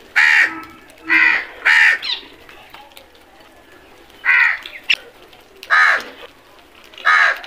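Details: Crows giving loud, harsh, nasal caws, single or paired, in bursts separated by pauses of one to two seconds, with a sharp click near the middle and a quiet background.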